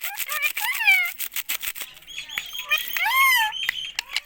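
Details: Indian ringneck parakeet talking; rasping, speech-like phrases with arching, harmonic tones rising and falling, over a steady background of rapid clicking and light rustling.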